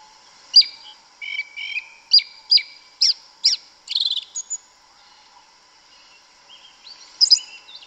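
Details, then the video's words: In Brazilian forest, a yellow-legged thrush gives a row of evenly spaced sharp high notes about every half second, then a short buzzy phrase, silence, and a final high chirp over a constant hum. "Sabiá Una cantando no mato. Lindo canto mateiro da sabiá preta"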